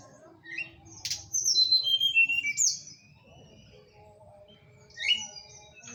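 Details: Horsfield's bush lark lure song, played to make lazy larks answer at once. A sharp note leads into a run of bright whistles sliding downward in steps, then a pause and a shorter rising whistle.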